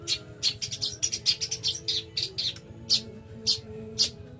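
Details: Energetic song of a long-tailed shrike from East Java: a chattering burst of high, scratchy notes, then single sharp notes spaced about half a second apart, a low hum in the background.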